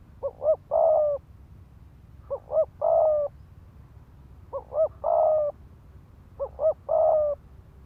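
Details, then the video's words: Rapid thúc gù cooing from a decoy spotted dove, intended to excite males into combat. Four phrases of two short hooting notes followed by a longer level coo, separated by pauses of about a second. "Tiếng chim cu gáy mồi đất Thúc Gù kích bổi máu chiến"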